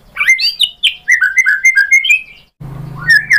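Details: White-rumped shama song played as a lure to draw other shamas into answering: rapid varied whistled phrases, rising and falling slurs in quick succession, then a brief pause before a low steady hum and more bright whistles.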